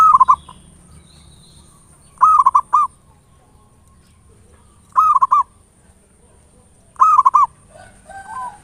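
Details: Zebra dove, local type, giving ngayer nulop lure song to provoke singing: three loud rolling phrases of quick stuttering coos, each under a second, spaced about two to three seconds apart over quiet background with a thin high tone.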